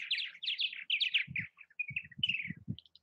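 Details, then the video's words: Purple martins calling around nest houses in Southwest Missouri: a run of rich gurgling, chirping notes that slide downward, close together, with soft low thumps and knocks between them. "Purple Martin activity at bird houses."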